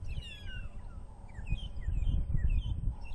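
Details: Long-tailed (magpie) shrikes following mongooses on a windy morning in Djuma Game Reserve, South Africa, 5 November 2014, give strange, thin whistled notes, short and often falling, in quick succession over a heavy low rumble of wind.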